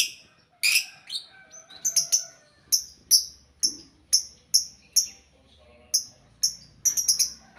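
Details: Many lovebirds sharing a single cage, calling noisily; shrill, clipped chirps repeated roughly every half second, with a soft low hum underneath.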